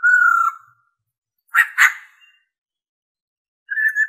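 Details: A female black-throated laughingthrush gives a steady mid-pitched whistle, then a harsh rolling 'ro ro' double chatter, and after a pause begins another whistle; the recording is meant to stimulate males.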